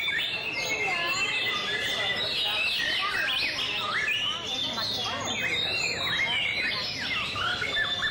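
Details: Song display by a White-rumped shama: dense, fast whistles, chirps and downward sweeps running on without a break over faint noise.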